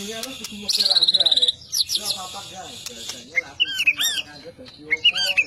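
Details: White-rumped shama singing a rapid, even trill of high notes, then scattered whistled and chirped phrases, with people talking quietly in the background.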